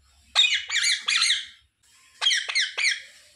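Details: Pet parakeet indoors gives two groups of three quick, shrill, buzzy squawks, the groups separated by a short pause.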